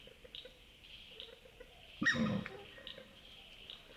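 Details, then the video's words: A single short, rough grunt with a squealing edge from an Australasian swamphen at a wetland at night, Wollemi National Park, New South Wales, Australia, against a continuous high chorus of night callers. "Swamphen Calls - Funny grunts & squealing sounds from an Australasian Swamphen"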